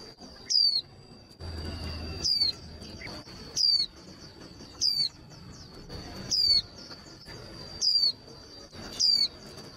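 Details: Female white-eye call played to stir up male white-eyes for singing contests: eight short, piercing, falling whistles at irregular one-to-one-and-a-half-second intervals, with a continuous thin high tone and light background hiss.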